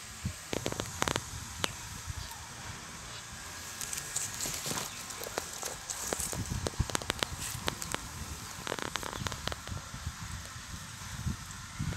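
Irregular crackling and rustling clicks over a low rumble, with no clear animal call.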